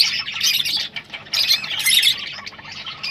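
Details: Rosellas chattering, sounds to prompt breeding; rapid rasping twitter rising and falling in loudness across three seconds.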